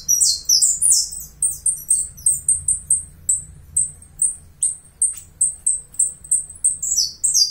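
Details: Saffron finch from Uruguay: brief quick descending sweeps, then thin high chips repeated regularly about three times a second, closing with another sweep flourish.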